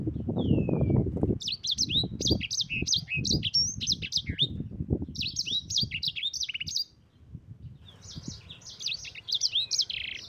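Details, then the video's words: Rolling ngerol song of a sanger, the yellow-fronted canary, used to train other birds: three long runs of rapid high twittering notes separated by pauses, with heavy low thumps and rumbling in the first half. "Suara Burung SANGER GACOR Ngerol Pedas paling ampuh untuk Pancingan dan Masteran...!!!"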